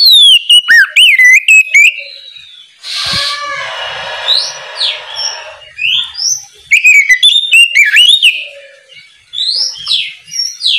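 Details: Morning ngeplong song of an oriental magpie-robin calling untrained birds to start singing: bursts of loud, rapidly repeated whistles and slurred notes, broken by a harsh raspy buzz lasting about two seconds, then quick rising phrases.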